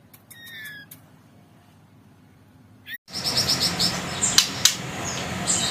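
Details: White-rumped shama of fighter type in trotol style: a few short whistled notes, a quiet pause, then rapid repeated high chipping phrases with sharp accents over loud broadband background noise.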